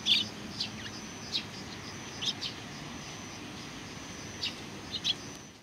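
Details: Soft chirps from greeting Eurasian tree sparrows, 27 July 2020: a louder note at the start, then sparse, faint, high calls spaced a second or so apart, over a persistent low hum.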